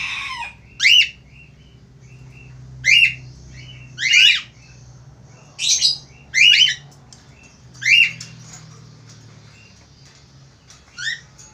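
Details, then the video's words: Eagerly calling male Australian finch repeating short, harsh nasal squawks roughly every one to two seconds, some doubled, then a softer final note after a longer pause. "FALK AUSTRALIA JANTAN GACOR"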